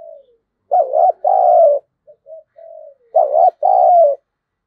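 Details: Spotted dove calling as a fighting lure for wild birds: two loud double coos, each with a long drawn second note, separated by a few soft, short low coos.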